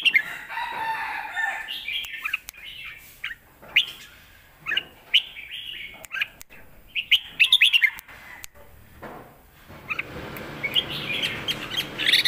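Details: Red-whiskered bulbul giving a forceful lak wai style master song, meant for teaching young birds: bursts of bright warbled, slurred whistles with rising and falling notes, separated by short pauses, with sharp clicks throughout.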